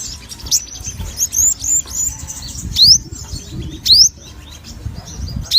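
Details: Sogon, a caged songbird, singing eagerly: scattered high chirps and several loud, sharply rising whistled notes spaced about a second apart, over soft rustling and flutter noise.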